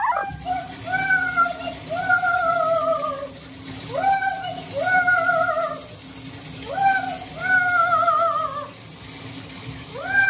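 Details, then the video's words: Pet Amazon parrot crying because it does not want to be bathed: drawn-out, harmonic wailing notes that slide downward, given in uneven bursts of one to two seconds, with quiet gaps between and a faint steady hum underneath. "Loro llorando porque no quiere bañarse"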